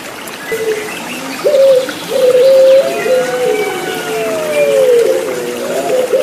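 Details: Turtle dove (Puter Pelung) cooing over trickling water, with drawn-out, steady mid-pitched notes that bend up and down, several overlapping lines, and a short rising note near the start.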